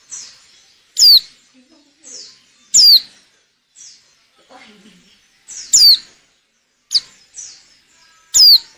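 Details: White-eye female in breeding condition, used to make males sing well for luring. Loud, very high whistles fall steeply in pitch at irregular intervals, with softer, lower notes and faint background sounds between them.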